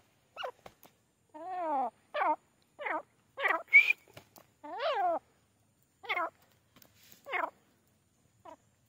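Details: Grey francolin, known locally as teetar, calling in an irregular series of nasal, strongly harmonic notes, some arched and some rising, with short clicks between them and near-silent gaps.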